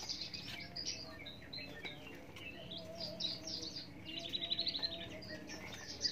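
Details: Australasian bushlark of the subspecies parva singing a continuous stream of high, thin chirps and short twittering trills, with a steady low background hum.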